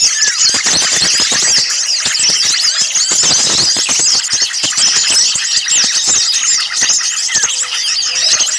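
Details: Small birds in a loud, restless flock, sound used to lure birds for catching: nonstop high twittering and looping squeaks, thick overlapping notes, with many sharp tick sounds underneath.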